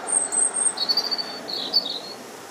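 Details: On March 2nd in a park, a robin delivers thin, very high drawn-out whistles and sharp twittering trills, closely spaced, over a soft hiss of outdoor noise.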